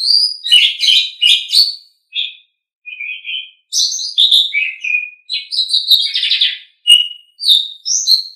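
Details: Asian pied starling song used for songbird training: noisy chattering bursts and short whistles, a quiet stretch with soft warbled notes, then a renewed run of mixed whistles and harsh, scratchy phrases.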